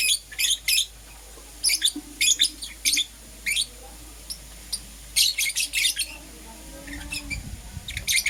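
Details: Morning lovebird chirping, Euwing Green Opaline and Lutino: paired and tripled high, sharp chirps at irregular intervals, with a soft low rumble near the end.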